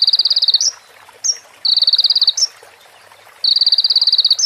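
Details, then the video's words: Sunbird in a training recording for other birds, with female prinia and ciblek phrases: three fast trills of clipped high notes, each ending in a brief rising chip, with short pauses between them. "MASTERAN KONIN FULL ISIAN PRENJAK BETINA SAMBUNG CIBLEK BREN JERNIH JEDA ORIGINAL DARI SUARA KONIN"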